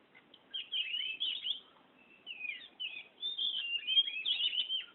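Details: Oriental magpie-robin in full rolling song: rapid, dense stream of slurred whistles, trills and scratchy notes, pausing briefly midway before resuming just as fast.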